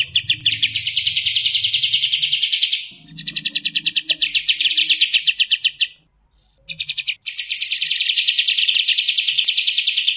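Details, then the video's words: Fast, tight 'tembakan' song of the striated grassbird: long, dense, high-pitched trills in three stretches separated by short gaps, with a soft low murmur under the first parts. "tembakan kapas tembak"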